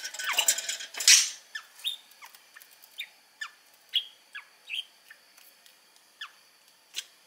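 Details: Four-year-old male pet budgerigar in Mie Prefecture, Japan, which imitates its owners' Kansai-dialect speech: soft, high, scratchy chirps and short squeaky notes repeated irregularly, about one a second, after a brief burst of louder rustling.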